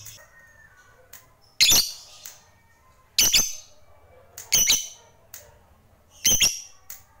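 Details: Fighter lovebird kept by bird hobbyists giving loud, harsh, squeaky squawks in pairs about every one and a half seconds, with faint chirps in the background.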